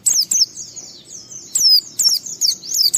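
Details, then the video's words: White-eye singing to lure other white-eyes into song, 'ngalas' style: dense, very high, slurred falling notes, loud bursts alternating with softer chatter, almost unbroken for the whole stretch. "Suara Burung Pleci ini Raja Menggoda Semua Pleci cepat Ngalas Ngeplong Gacor"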